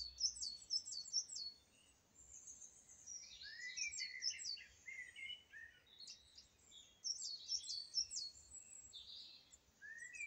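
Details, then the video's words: Song thrush singing: high, varied phrases of sharp whistles and chirps, some short figures repeated several times in a row, with bursts separated by brief pauses. "Song Thrush singing"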